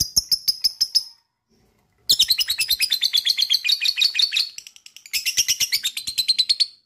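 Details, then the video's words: Lovebird trill used to prompt other lovebirds to trill: fast series of high, ticking chattering notes, a brief pause, then a long, dense, rapid trill in two bursts. "DENGARKAN suara LOVE BIRD ini,,bisa m3micu lb untuk ngekek"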